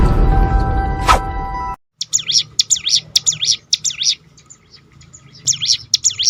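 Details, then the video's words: Crested honeyeater, local name ciblek gunung, a rapid rolling call sequence used to provoke other birds into singing; fast repeated high zigzag notes about twice a second after a loud opening burst of noise. "roll tembakan ciblek gunung memancing bunyi burung lain."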